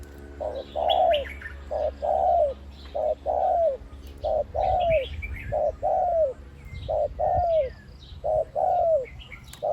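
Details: Deep-voiced decoy spotted dove, one-kuk type, cooing khu-ang steadily. About eight phrases, each a short low coo followed by a longer falling coo, repeat roughly every 1.3 seconds. Quiet chirps from other birds and a low hum sound underneath.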